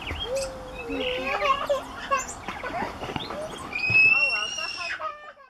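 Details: Tui sings in woodland beside the Waikato River near Huka Falls, New Zealand, on 27 March 2016: a varied run of bell-like notes, clicks and wheezy chatter, closing with a long, clear, high whistle.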